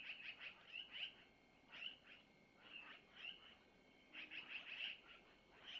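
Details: Long-eared owlets being fed by their mother at a Missoula nest, nest-cam recording around 5:05; softer, scattered bursts of thin, high squeaky chirps separated by pauses of about a second.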